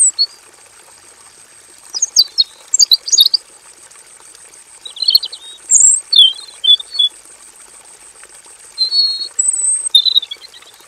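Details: A robin in a simple aviary cage delivers spaced bursts of high, rapid twittering and chirped notes, with short gaps between phrases and a persistent faint high-pitched tone underneath.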